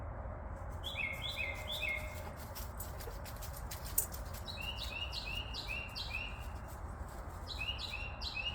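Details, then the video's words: Night birds chirping persistently outside after 11:15 pm on 14 February 2024, a run of quick rising chirps in bursts of three or more, set against constant low-pitched hum and background noise. "Nighttime bird calls on Valentine's Day"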